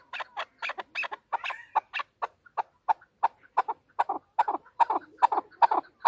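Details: Calling female chukar partridge: spaced, sharp, clucking chuck notes, roughly one per second at first and then coming faster and doubled toward the end, with clean silence between notes.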